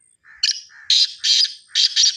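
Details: Partridge near Charsadda uttering a rapid sequence of harsh, raspy bursts, each preceded by a softer, lower lead-in note, repeated about every half second.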